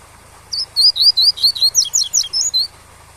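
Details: Captive-bred double-collared seedeater singing the tui-tui song style, a recording used to teach young birds, set over waterfall sound: a quick run of about ten high, clear, sweeping whistled notes over two seconds, with a faint steady hiss behind.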